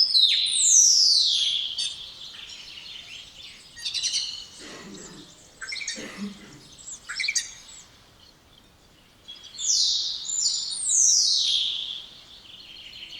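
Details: A spotless starling opens with a long falling whistle, continues with clicking, rattling and gurgling phrases, and closes with paired high whistles sliding downward.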